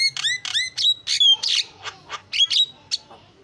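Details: Starling lure song used to draw other birds in: short bursts of harsh, buzzy notes alternating with clear whistles, about one phrase every half second, with brief gaps between them.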